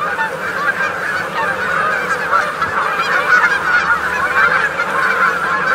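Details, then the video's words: A feeding flock of Canada geese with crickets or grasshoppers: dense chorus of nasal honks overlapping continuously, no single bird standing out. "Canada Goose. MD Calls From A Feeding Flock"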